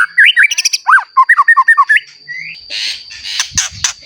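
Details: Freshly moulted, frequent-singing white-rumped shama meant to provoke other shamas: a quick series of looping whistled notes and chevron-shaped slurs for two seconds, followed by rustling, hissy noise and a steady high background tone.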